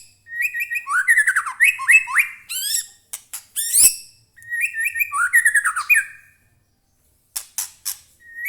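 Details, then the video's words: White-rumped shama in captivity delivering its song: repeated phrases of rolling, slurred whistles that dip and rise, interspersed with sharp high clicks and a pause before scattered chips. "murai batu gacor AMPUH buat pancingan murai batu agar bunyi"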